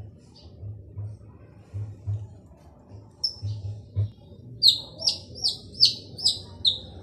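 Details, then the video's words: Male long-tailed shrike singing vigorously, used to lure silent shrikes into singing; after a quiet start with low hum, a run of about seven sharp, high, scratchy notes repeats roughly every half second. "Burung cendet jantan gacor dor cocok untuk pancing cendet bisu"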